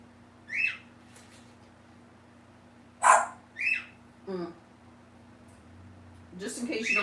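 A pet cockatoo gives about five short, harsh, dog-like barks spread over a few seconds, each a rasping burst, with some indoor voices around them.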